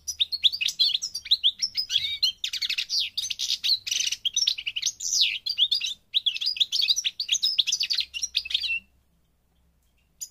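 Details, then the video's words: European goldfinch, Parva type from Morocco, North Africa, pouring out a long, continuous run of tinkling chirps and buzzy trills that stops abruptly near the end. "The Goldfinch's Song North Africa - Parva Morocco Bird Song"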